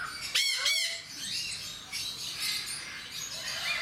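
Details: A single harsh, buzzy double squawk from a Jenday parakeet at Mysore Zoo, then softer distant screeches and chatter from other birds.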